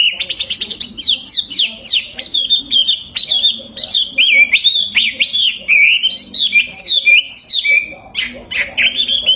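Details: Hwamei (wambi) pouring out rich, varied song for training songbirds: quick downslurred whistles at the start, then a long chain of warbled, twisting phrases that change pitch and shape with hardly a pause.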